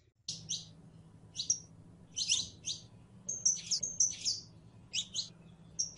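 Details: Canario criollo, the saffron finch, singing prelono song: bursts of high chirps, some doubled, a few thin whistled notes held briefly, irregularly spaced over a steady low electrical hum.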